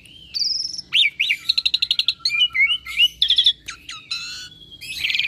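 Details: Asian pied starling, a lively talker skilled at copying other birds' voices, pours out a varied phrase: a high whistle, a rapid string of buzzy ticks, then slurred whistles and a rising squeal.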